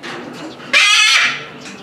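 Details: Salmon-crested cockatoo calling repeatedly at Omiya Park Small Zoo, Japan, December 2017: one loud, harsh, grating screech lasting about half a second, with quieter background noise before and after.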